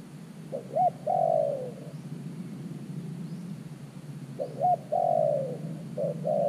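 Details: Decoy spotted dove at an earthen trap, calling to wild doves with two quick low notes and a long descending coo, then a quiet gap of several seconds before the phrase begins again.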